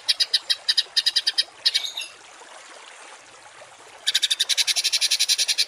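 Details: Masteran of harsh 'tembakan kasar' birdsong for training cage birds: a string of sharp, buzzy high notes, a short slurred phrase, a quiet gap of about two seconds, then a dense rapid rattle of clipped notes.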